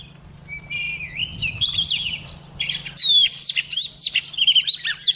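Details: Singing female Oriental magpie-robin, used to trigger males to sing: a dense, rising flow of warbled whistles and rapid chirps that grows louder toward the end, with faint low hum behind.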